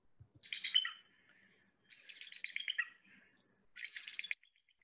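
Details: A bald eagle gives three bursts of thin, high chittering notes that tumble slightly downward, each about a second long, with brief pauses between.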